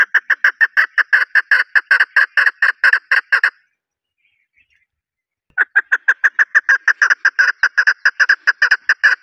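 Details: Desi chokor, the chukar partridge of Pakistan, calling in long, steady runs of loud clucking chuck notes, about twenty in the first series, a short silence, then a second equally rapid series.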